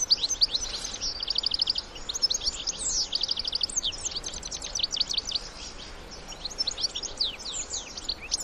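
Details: Wild European goldfinches, adults with their young, sing quick high twitters including short rattling trills early on, then scattered bright chirps, with soft background noise.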